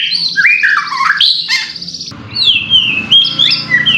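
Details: White-rumped shama song played to provoke another bird into singing, with rich fluting whistles and swoops, a harsh buzzy burst midway, then clear descending whistled notes.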